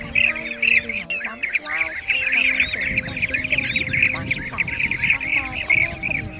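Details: Flock of blue-tailed bee-eaters giving gathering calls to feed and roost, many birds at once producing busy, rippling trills and chirps without pause, faint level droning tones beneath the chatter.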